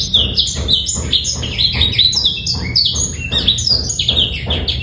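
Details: Black-throated canary male singing a clean master song without rattles, used to train young birds: lively high-pitched twitters, short down-swept notes tumbling in quick succession, phrases broken by tiny gaps.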